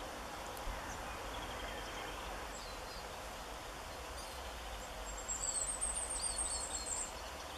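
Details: A Firecrest (Regulus ignicapilla) sings on 16 March 2017 in northern Germany: a two-second burst of very high, thin notes that quicken and swell. A steady background hiss and faint distant bird calls run throughout.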